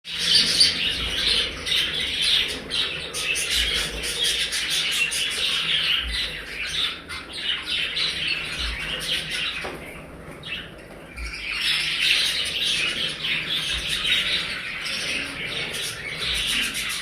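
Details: A large flock of budgerigars in a breeding setup of about 100 pairs chatters nonstop in a dense wash of high chirps and warbles.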